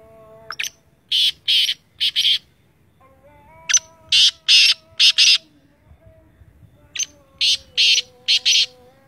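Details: Sindhi teetar (black francolin) calling three times, each phrase a rhythmic string of loud, scratchy, buzzy notes, with a quiet whining tone in the background.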